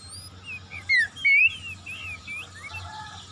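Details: Oriental magpie-robin song played as a lure to set quiet magpie-robins singing: a run of thin whistles and slurred notes, with two louder upswept whistles in the middle and fainter warbling around them.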